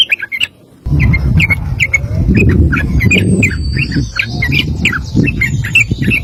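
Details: Sooty-headed bulbul singing a long rapid 'ropel' song, used as a master recording for training other birds: short clipped notes repeated several times a second over a loud low rumbling background noise.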